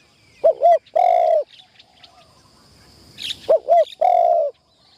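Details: Spotted dove used as a trapping decoy, first time in the tent: two phrases of paired short coos leading into a sustained mellow note, with faint rustling and a brief high chirp in the gap.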